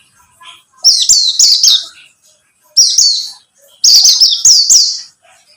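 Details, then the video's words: White-eye of the buxtomi type singing a lure song meant to set another bird singing: three bright bursts of quick, high, falling chirps, each run of three to five notes, with near silence between. "Pancingan pleci buxtomi agar bunyi"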